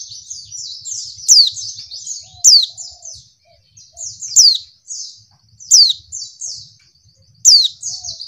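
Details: A female white-eye's continuous high, thin twittering, broken every second or two by a sharp, loud downslurred note, used to provoke males into calling; faint low thumps underneath.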